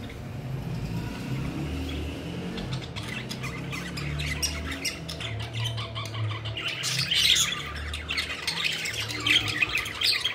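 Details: Several pet budgerigars playing and flying about, their scratchy, high chirps starting after a few seconds and growing denser, over a steady low rumble.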